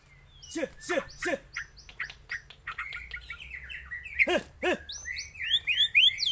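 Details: Murai Aceh white-rumped shama song opening with deep arched harmonic notes, then quick bursts of high whistles and buzzy trills, ending in bright looping whistled phrases.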